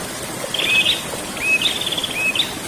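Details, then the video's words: Prinia singing its rolling ngerol song: a few short whistled notes that slide upward, each ending in a brief trill, over a steady rushing background hiss. "burung prenjak ngerol"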